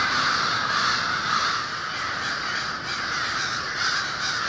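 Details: Winter predawn roost of more than 1500 American and Fish Crows in Lawrence, Massachusetts, birds loudly vocalizing as they wake. Countless raspy caws blur into a steady roaring chorus, with individual calls barely separable, about two per second.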